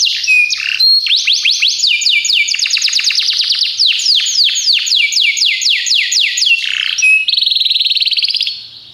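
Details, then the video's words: Training recording of a Belgian canary: long sequence of rapid repeated descending whistles and rolling trills, a buzzy warbled passage, then fading out. "treinamento para canário belga"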